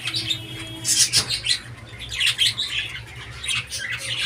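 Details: Budgerigar calling in a room, with rapid, irregular scratchy chirps and squawks in overlapping bursts, a sharp squeak near the start and a constant low hum beneath.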